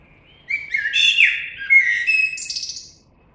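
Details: Common blackbird delivering a flowing warble: low, sliding flute-like notes rising and falling, closing with faint, very high twittery notes; background otherwise calm.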